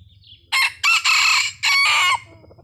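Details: A red junglefowl lure call: a short, harsh crow in four quick bursts, the last note drawn out and ending abruptly, with a faint low rumble behind.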